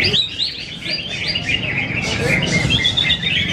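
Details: Greater green leafbird, a contest champion in Yogyakarta, Indonesia, pours out fast, jumbled whistled phrases, rising and falling notes tumbling several times a second amid soft crowd noise.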